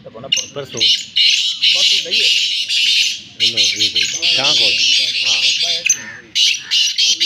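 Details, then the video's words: Black francolin (kala teetar) giving harsh, grating, rasping calls in near-continuous bursts in green countryside, with men talking over them in the background. "francolins voice | kala teetar awaz"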